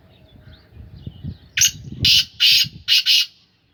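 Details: Black francolin of the Sindhi Gangas strain, kept in captivity and in its third calling season, calls with a loud harsh series of five buzzy, grating notes after a stretch of soft low rumble.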